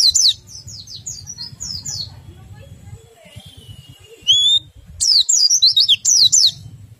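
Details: Oriental white-eye with short bursts of high, quick twittering notes, a pause with a faint lower whistle, then a rising whistle and more rapid twittering, intended to stimulate other white-eyes to sing.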